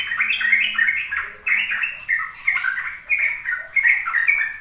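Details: Sooty-headed bulbul singing the ropel style, used to coax young birds into singing. Clear, bouncing whistled phrases repeat in short bursts roughly every half second.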